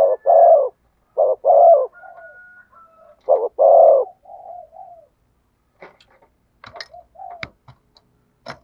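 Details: 'Thổ sấm' voiced spotted dove giving deep, grainy coos. A brief note leads into a long, buzzing coo, repeated three times. Soft low trailing notes come between phrases, and faint clicks and knocks follow.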